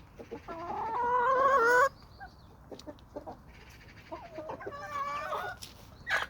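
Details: Homestead flock of chickens and roosters on a small suburban homestead with sandy soils: a loud harmonic crow lasting nearly two seconds, rising at its end, then softer clucks and a second wavering, drawn-out call from the flock.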